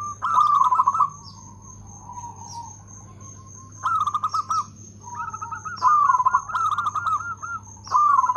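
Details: Loud local zebra dove singing with good rhythm; repeated bubbling, quavering coo phrases, several in eight seconds, with softer cooing between, high chirps from other birds, a steady high tone and low hum.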